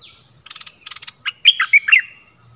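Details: Stripe-throated bulbul song for training chicks and luring wild birds: two quick rattling bursts, then a loud, liquid, warbled whistle phrase rising and falling, with a faint low hum.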